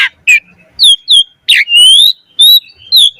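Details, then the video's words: Short burst of Black-collared starling song with imitated notes, meant to prompt other starlings: harsh squawky notes followed by long, clear, slightly rising whistles separated by brief gaps. "Jalak Suren Gacor Mompa Isian - Pancingan Jalak Suren Agar Burung Jalak Cepat Gacor Isian Mewah"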